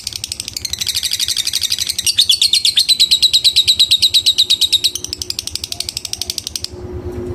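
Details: Caged lovebird giving a long, rapid ticking trill, known as ngetik, while calling a rival, which prompts other lovebirds to join in ngekek; high clicks run steadily at about three per second, rising then levelling into a sustained buzzy chatter.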